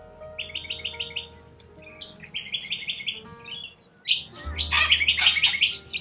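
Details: Wild corella cockatoos in Australia call in short bursts of repeated, rapid high notes, then break into harsh, rasping screeches near the end, with a low hum underneath.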